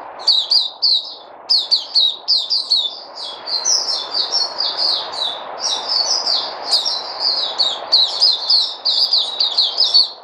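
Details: White-eye (Puteh) recorded 03082020 in a sustained, rapid, high twittering song of repeated sharp chips and slurs, nearly continuous for ten seconds.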